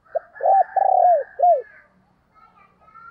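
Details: Spotted dove used as a decoy, cooing to lure wild doves: one loud phrase of four low, rounded coo notes over about a second, the longest note drawn out and falling, with faint higher chatter behind.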